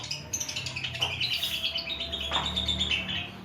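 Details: Javan pied starling practising its song with a steady string of high chirps and whistles, repeated quickly and unevenly throughout, over a faint low hum.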